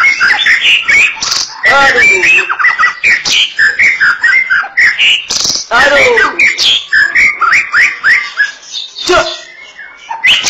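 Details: Long, busy White-rumped shama song, loud whistled and chattering phrases crowded together with sharp clicks and rapid sweeping notes, changing pattern every second or so.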